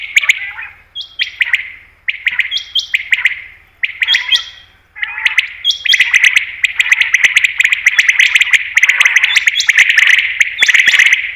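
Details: Common quail sound, possibly from a female, used to attract quail for hunting: several short harsh bursts, each opening with a high note, followed by a long continuous rasping chatter with sharp clicks.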